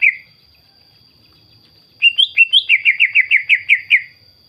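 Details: Greater green leafbird, used to provoke other leafbirds into singing: after a short opening note, a quick run of about ten loud, sharp, slurred whistles repeated several times a second.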